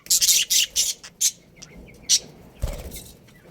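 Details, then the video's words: Budgerigars from a breeding pair in a colony, giving short, sharp high chirps in quick bursts with brief pauses between them, and a soft low thump near the end. "Cute Budgies Chirping Sounds"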